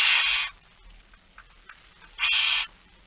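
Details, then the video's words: Two harsh hissing begging screeches from barn owls at feeding time, 06:57 on 13 September 2019, separated by a quiet pause with faint rustling. "Kerkuil It Fryske Gea 2019 09 13 06 57 voedering"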